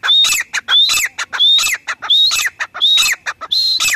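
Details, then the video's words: Loud grey francolin (teetar) calling, dated 03/10/2020: a steady chant of rising whistled notes, each followed by harsh clipped squawks, repeated roughly every 0.6 seconds, six phrases over four seconds, against a clean background. "teetar sound | teetar awaz | gray francolin teetar sound"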